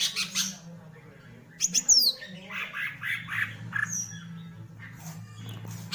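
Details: Green leafbird fanning its tail while singing: harsh, raspy bursts and chattering notes, with a brief run of thin, high whistled notes near the middle, over a steady low hum.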